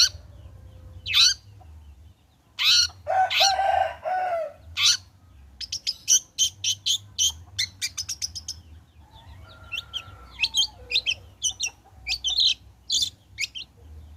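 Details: Long-tailed shrike, locally cendet, singing as a lure to draw song from other shrikes: a harsh, grating phrase early on, then rapid high ticking notes and scattered sharp chips, with a soft nasal note midway.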